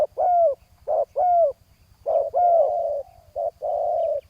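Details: Spotted dove luring with a decoy on the ground: arched, ringing coos in pairs followed by drawn-out husky notes, one gliding downward, over a quiet low pulsing background.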